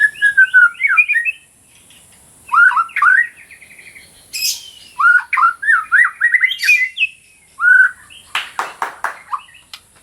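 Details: Energetic white-rumped shama song used to teach and to stimulate quiet shamas: varied whistled phrases in bursts, squeaky high notes, and a closing series of dry, rasping ticks.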